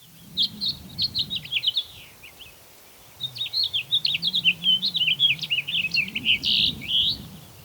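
A House Finch sings a fast, rambling warble of nasal, burry notes jumping up and down, in two bursts with a brief pause, over low background rumble.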